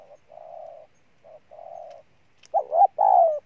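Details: Spotted dove, a decoy bird, opening with faint, steady, mid-pitched humming coos before breaking into a loud two-part coo with a bent first note and a drawn-out, slightly falling second.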